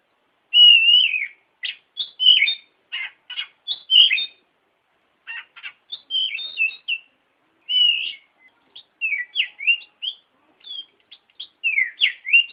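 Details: Oriental magpie-robin song used as a tutor recording for training other birds: clear whistled phrases with rising and falling notes and short chirps, in bursts separated by brief pauses.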